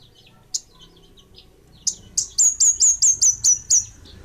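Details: Kemade Bunga Api bird singing: after a few scattered high chips, a rapid series of about ten loud, very high, sharp notes repeated more than twice a second.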